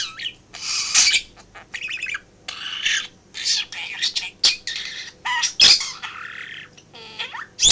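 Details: Pet budgerigar, male, chattering and talking indoors while its owner works in a home office; rapid bursts of scratchy, buzzy warbles and clicks with short gaps, a steady low electrical hum underneath.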